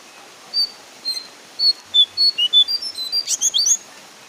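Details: Brown Horsfield's babbler calling in the loud, clear 'ngeplong' gacor style: a run of about fifteen short high whistled notes that start spaced apart, then quicken into a dense burst, closing with a few sliding, twisting notes over a quiet background.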